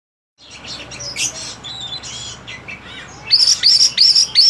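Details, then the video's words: An Oriental magpie-robin just starting to learn its full song gives a run of varied high whistles, then quick rising, sweeping notes repeated about three times a second. "Kacer mulai blajar gacor"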